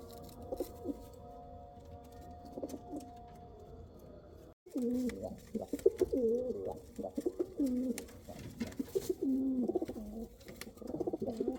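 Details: Kal Cheeni and Rampuri pigeons: soft, faint coos over a steady hum, a sudden brief silence, then loud, continuous, wavering cooing phrases repeated back to back until the end.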